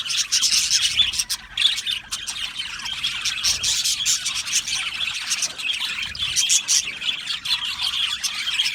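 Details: Australian budgerigar colony in an aviary, many birds singing and chirping at once: a continuous dense wash of high warbles, chirps and squawks with no gaps.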